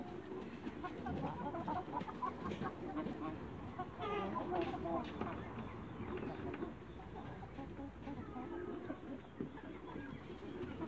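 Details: Young Light Brahma chickens in a backyard giving irregular, soft clucks and murmurs, with a busier burst of harmonic clucking around the middle, over steady low background rumble and faint voices.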